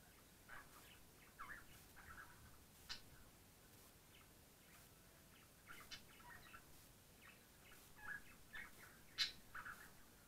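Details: A pet budgerigar in a poorly lit room gives scattered short, high chirps and squeaks over a steady background hiss.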